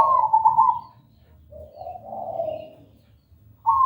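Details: Lure recording of a zebra dove (perkutut) singing loud and clear: a bright trilled coo, followed by lower softer cooing notes, a short quiet gap, and the start of another bright phrase.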